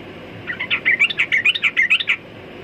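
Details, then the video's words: Sooty-headed bulbul singing a lively run of bubbly, chirping notes, about a dozen quick warbled phrases over roughly one and a half seconds, with a steady faint background hiss. "Burung Trucukan Kicau Mania"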